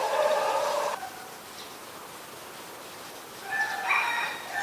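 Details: White-vented myna, also called crested or black myna, recorded at Ubon Ratchathani, Thailand, on 16 February 2020. A loud, harsh, rich-toned call opens the recording, lasting about a second. A shorter, higher, scratchy note follows near the end over a quiet background.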